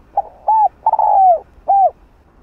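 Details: Spotted dove (cu gáy) decoy calling to draw in wild birds: one full phrase of soft, low coos, two short notes, a long drawn-out falling coo, then a closing short coo, in quiet surroundings.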